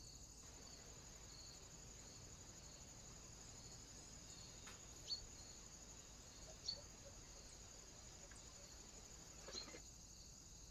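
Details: Great spotted woodpecker (Dendrocopos major) recorded by camera trap on 2 October 2024, giving three sharp, single 'kik' notes spaced a few seconds apart, over a steady high-pitched cricket chorus.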